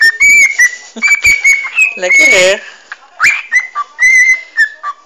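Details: Pet parrot whistling and chattering while wanting to be cuddled and scratched on the head, filmed in dim light on a phone; clear whistled notes sliding and held, with chatter and a person's voice between.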